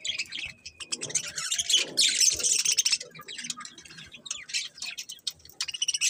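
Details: A group of budgies in busy chatter, with fast scratchy chirps and twittering notes tumbling over each other almost without a break, loudest in the middle.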